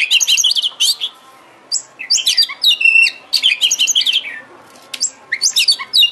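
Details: Provocation song of an Oriental magpie-robin, used to spur a bird into full song and tail display. Loud, jumbled phrases of squeaky chirps, slurred whistles and scratchy notes follow one another with hardly a break.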